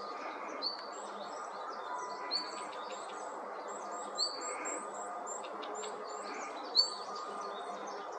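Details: Red-flanked bluetail giving high, thin chirps with a few louder notes every couple of seconds, thought to be excited calls as other mountain birds gathered, over a steady outdoor hiss with other faint twittering.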